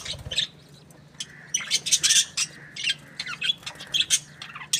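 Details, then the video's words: Budgerigar in a happy mood, starting quietly then breaking into scattered high chirps and short rising whistles, with gaps of near silence and a faint low hum. "Happy budgie chirping sounds"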